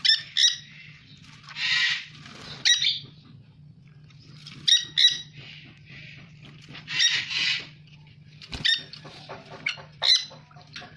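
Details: Dusky-headed conure (Aratinga weddellii), a conure described as very rare in Indonesia, giving loud, harsh, raspy screeches in short bursts, some paired, about a dozen over the span, over a steady low electrical hum.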